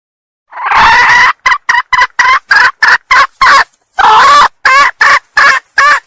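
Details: Red junglefowl hen, Sumatra, luring a male with a long rough cry followed by bursts of quick harsh cackling notes, a second long cry, then more rapid clucks.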